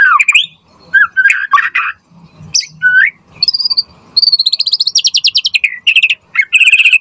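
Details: White-rumped shama in full varied song, used as a master recording for other shamas: mixed whistles and chips, then a fast rhythmic high trill and buzzy repeated notes.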